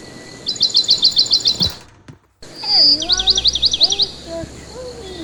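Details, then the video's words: A pet parakeet, tweeting while its owner talks to it, gives two bursts of about eight rapid high chirps each, split by a short silence, with the owner's voice murmuring faintly under the second. "Talking to my bird the bird tweets"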